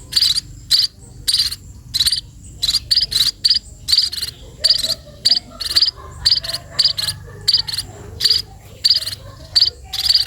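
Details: Sparrows being fed, giving shrill, harsh high-pitched begging bursts in quick irregular runs of two or three, pausing briefly between runs, with a faint low hum underneath.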